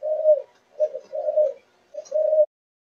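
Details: Spotted dove, Malaysian line, four months old, chiêu gù chạy cooing. Four low, smooth coos, some long and some short, come with small gaps between them, the last note drawn out.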